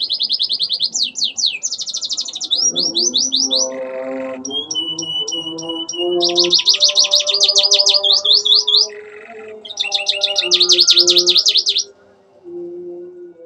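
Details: {'caption': 'Canary singing a rich song filled with imitated Ciblek and Ciwah calls, including klik-klik clicks: fast, high, repeated trills and buzzy bursts in separate phrases. A steady electronic music backing runs underneath.'}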